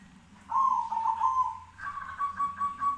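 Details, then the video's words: Two zebra dove phrases answer each other. A rolling, burbling coo of about a second and a half is followed at once by a slightly higher, pulsed coo, over a soft low hum. "suara perkutut bersautan langsung bikin nyaut"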